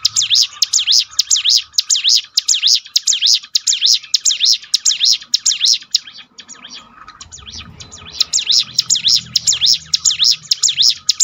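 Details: Bar-winged prinia training song for a downcast bird: brisk, regular runs of piercing high swooping notes, a quieter gap with a low rumble, then the run resumes.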